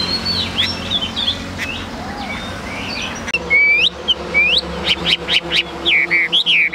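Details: A caged, tame Chinese hwamei gives soft scattered notes at first. Then come louder rising whistled slurs and sharp, clipped notes, with a low hum in the background.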